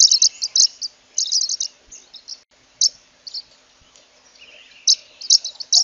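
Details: Zebra waxbill (Amandava subflava) giving bursts of quick, high, tinkling chirps separated by short pauses, with a faint lower, buzzy note in the background.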